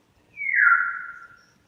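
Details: Grey parrot giving a strange sound, one smooth, clear whistle held about a second and gently falling in pitch, with a near-silent background.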